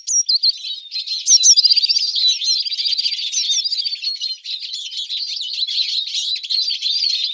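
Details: A Eurasian siskin feeding on alder cones, with a busy high twittering of thin chirps, trills and wheezy notes, several voices overlapping continuously.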